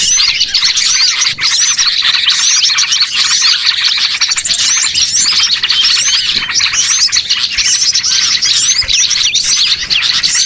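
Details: Many small birds chattering, played as a lure to gather birds for catching; a steady wall of shrill chirps, trills and quick upward squeaks continues without pause for about ten seconds.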